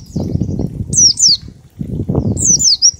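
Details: High descending chirp runs of an oriental white-eye, ngalas style with 1234 beats, serving as a singing lure, partly masked by heavy low fluttering and rustling sounds.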